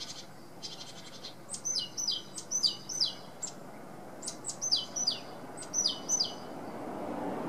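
A great tit sings a bright, ringing two-note phrase, a high note dropping to a lower one, repeated in quick runs over a soft background hiss.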